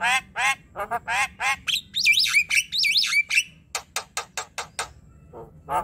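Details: Javan myna chatter used to encourage silent birds to sing; harsh nasal squawks, then looping whistled phrases, followed by a run of crisp clicking notes.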